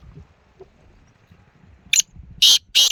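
A black francolin gives three loud, harsh, grating notes near the end, one short and two longer in quick succession, after a quiet stretch of faint background noise.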